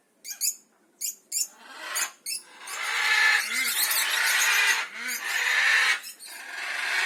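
A cockatiel gives harsh, scratchy calls that run into a long grating screech.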